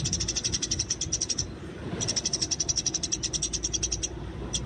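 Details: Eurasian tree sparrow fighting in the wild, a training recording: two long bursts of fast, bright, high-pitched chirps separated by a short gap, with a steady low murmur beneath.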